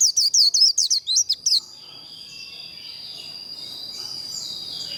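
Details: White-eye singing the líu contest style, used to stir birds into singing: a brief burst of about ten rapid, sharp, high twitters, followed by several seconds of soft hiss and a faint steady high tone.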